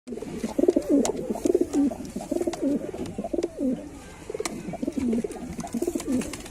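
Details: White pigeons cooing in an enclosed space: low, throaty rolling coos repeated about once a second, several birds overlapping, with faint clicks and shuffling.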